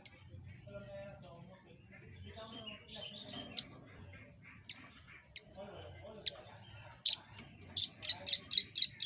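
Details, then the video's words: Velvet-fronted nuthatch on a master recording for training cage birds. Scattered single high chips and faint twittering over a low hum lead into a quick run of sharp, high repeated notes at the end. "Tembakan Dan Suara Khas Burung Rambatan Paruh Merah l Burung Masteran"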